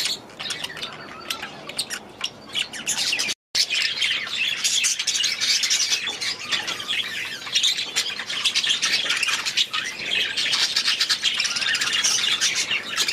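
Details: Many budgies kept in an aviary keep up dense, continuous chattering, a fast jumble of squawks, twitters and rasping notes. There is a brief full silence early on, then the chatter carries on unbroken.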